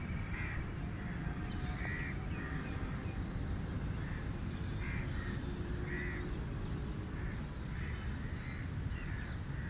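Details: Series of harsh crow caws repeated roughly every second, some overlapping as from several birds, with rapid high chirps from small birds and a continuous low rumble.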